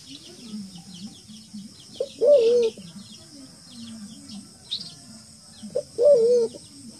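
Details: Wild forest pigeon voice played as a bird-trapping lure: low murmuring coos recur between two loud, wavering hooted calls about four seconds apart, with faint higher chirps in the background.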